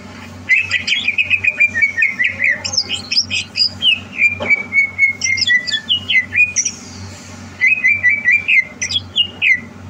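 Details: Greater green leafbird being prepared for a singing competition, recorded 30 November 2022: a rich, varied song of fast buzzy trills, then long descending whistled runs and sharp chattering notes. A low steady hum runs underneath.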